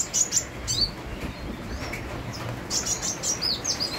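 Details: Sunbird singing energetically amid rain: thin, high twittering notes in short clusters at the start and again near the end, over a steady wash of rain.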